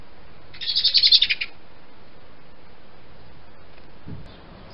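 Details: Robin singing in a garden in February: one short, bright, high twittering phrase lasting under a second, followed by near quiet with low background rumble.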